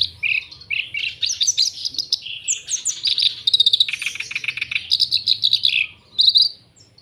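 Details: Black-browed reed warbler in full, varied song across high and low pitches: scratchy chatters, whistled slurs and fast rattles tumble together without pause, ending in a short separate phrase.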